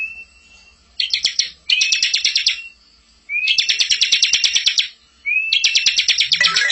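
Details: Full-filled bar-winged prinia master song for tutoring young birds: a soft whistle, then four bursts of rapid rattling notes, the later ones introduced by upswept whistles, with a faint low sound at the end.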